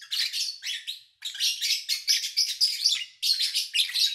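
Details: A lovebird, recorded in August 2019 over three days from morning to evening, gives a rapid run of shrill, scratchy chirps, high-pitched and busy, coming in bursts with brief pauses between them.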